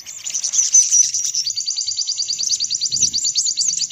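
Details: Sunbird lure call: a thin, high, tightly pulsed trill of quick repeated notes, steady throughout, with one soft low knock near the end.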